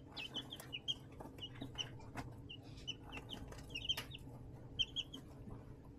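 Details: Baby chickens raised indoors in a brooder box made from a plastic storage tote under a heat lamp, 20 March 2024; short high peeping chirps come in scattered bursts, with light tapping and scratching clicks and a faint low hum.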